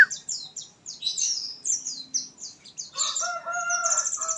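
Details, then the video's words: After misting, an oriental white-eye gives a fast series of thin, descending high chirps, followed by lower, stacked harmonic notes in the final seconds. "efect pengembunan pleci"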